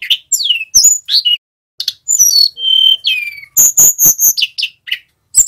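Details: Male Sunda robin learning ngerol song, played to train other birds: busy, varied whistled phrases with downward slurs, a held pure tone, then rapid repeated chattering notes.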